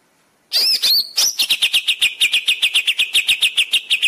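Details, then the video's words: Greater green leafbird training song for caged birds: a few sharp whistled upsweeps, then a long fast trill of evenly repeated notes, about five per second. "Masteran cucak ijo cepat gacor"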